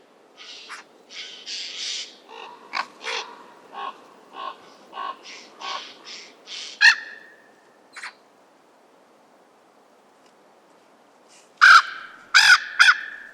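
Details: Common raven giving a run of harsh, rasping calls about once a second in winter (January–April 2025 period), with a few clear, drawn-out mewing begging calls from a common buzzard.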